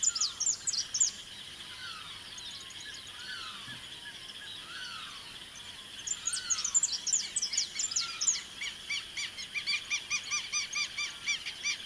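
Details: Saffron finch singing in the Pantanal of Mato Grosso: bursts of sharp, high chipping notes, a quick series near the start, then a denser run of rapid chips later, over lower down-slurred whistles and a steady insect-like hum.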